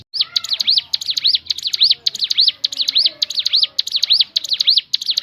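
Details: Crescent-chested babbler singing clear, looping whistled notes that rise and fall in arched strokes, repeated in quick regular groups about twice a second.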